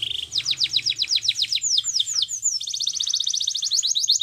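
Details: A Russian canary sings a rapid string of bright descending notes, a few slower drawn-out falling whistles, then a long, even, chattering trill.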